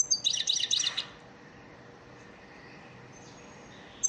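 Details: Goldfinch training song for caged birds: a brief, fast cluster of bright, high tinkling twitters lasting about a second, then near silence with a faint thin note and a final chirp.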